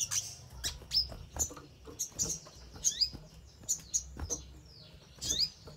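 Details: Crimson sunbird sounds meant to trigger other birds to reply and sing: sharp, very high chips and short downward-swept squeaks spaced roughly every half second, with quiet pauses between.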